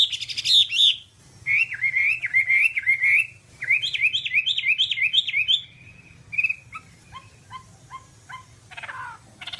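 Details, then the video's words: A Whambie's song used to train caged songbirds: rapid series of repeated sharp whistled notes, changing pitch between series, ending in scattered chirps and a sweeping note. "Masteran Whambie nonstop 1 jam"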